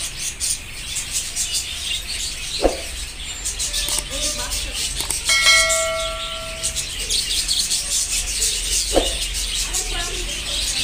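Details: Many budgerigars at a budgerigar farm chatter at once in a steady, high, twittering wash; a ringing bell-like tone sounds midway, with a few sharp knocks.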